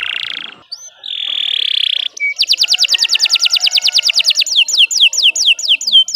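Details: Canary singing for training other birds: a harsh buzzy opening, a held grating note, then a long fast series of clear repeated notes turning into downward-sweeping whistles.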